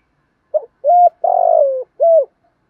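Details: Spotted dove cooing, male and female birds kept to train captive doves; a short soft note then three loud hollow coos, the middle one longest and slightly falling, all low-pitched and clean with no other sounds.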